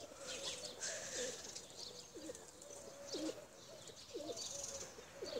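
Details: Tumbler pigeons, including blue Çakmaklı birds, kept for flying: a run of short looping coos, each a quick rise and fall, about one per second, over a soft backdrop of distant high bird chirps.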